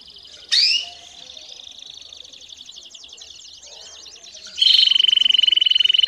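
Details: Caged-bred canary song meant to train young birds: a sharp upswept note, a long soft chattering run of mixed quick notes, then a loud fast buzzy trill closing the phrase.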